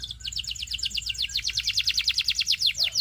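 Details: Belgian singing canary trilling: evenly spaced, bright downward-sweeping notes repeated rapidly for three seconds, loud and clear.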